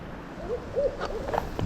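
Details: Owl gives three soft, low hoots in quick succession around 8 pm on Michigan's Big Manistee River just after a day of rain stopped, with ducks flying nearby, over a quiet background hiss.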